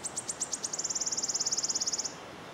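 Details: Wood warbler singing in Yarner Wood, Devon: a few spaced, high ticking notes speed up into a fast, shivering trill held for over a second, then stop abruptly; faint woodland background.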